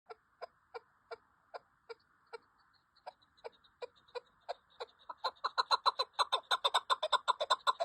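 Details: Chukar partridge calling: a series of short, clucking notes repeated at first about three times a second, then speeding up and growing louder into a rapid, excited chattering run near the end.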